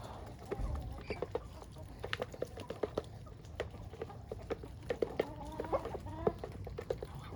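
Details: Ducks and chickens on a farm, quacking and clucking: short, soft clucking notes repeated irregularly throughout, a brief run of harmonic, nasal calls around five to six seconds, and scattered tapping and pecking clicks.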